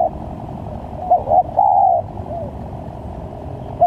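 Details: Spotted dove lure call for trapping. A single phrase of two short notes and a long coo, followed by a softer coo and a brief note at the end, over a steady low hum.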